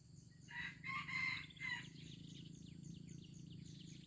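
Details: Junglefowl from Aceh, 25 April 2020: a brief raspy crow in four choppy bursts over about a second, then repeated high twittering birdsong over a steady insect background.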